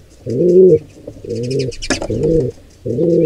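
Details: Deep pigeon cooing from wild birds at a nest as an intruding pair attacks a squab. Four drawn-out coos come at uneven intervals, with a sharp click or knock near the middle and faint high chirps.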